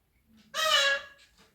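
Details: Pet Indian ringneck parakeet imitating a cat's meow: one loud, nasal, harmonic-rich note of about half a second with a steady pitch, in a quiet room.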